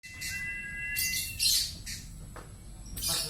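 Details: Lovebird giving a 'konslet' style sound, a steady high whistled tone followed by bursts of harsh, scratchy squawks, with a person talking softly nearby.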